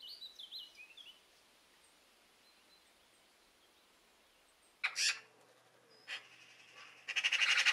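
Eurasian Magpie giving harsh, rasping chatter bursts that build into a rapid rattle. Thin whistled chirps from another bird come first, then a quiet gap.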